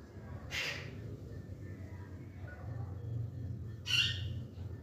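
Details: Green parakeets chattering indoors: two harsh, noisy squawks about three seconds apart, the second one louder, over a low background hum.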